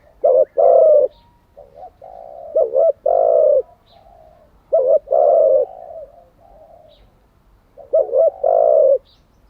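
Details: Spotted dove decoy bird whose coo is used daily to train newly caught and decoy doves. Four low phrases, each a quick double hoot and a drawn-out coo, with faint murmuring notes in the gaps.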